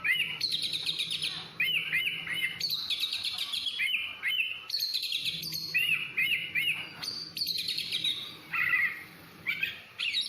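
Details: Continuous song of a kacer (Oriental magpie-robin): bursts of high buzzy trills alternating with series of clear looping whistles, phrases restarting every second or two, with a faint low hum beneath.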